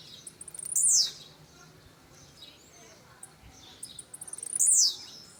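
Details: A blue-black grassquit of brownish 'pardinho' plumage performing. Twice, a run of quickening ticks builds into a loud, buzzy, down-sweeping note, the two notes roughly 3.7 seconds apart.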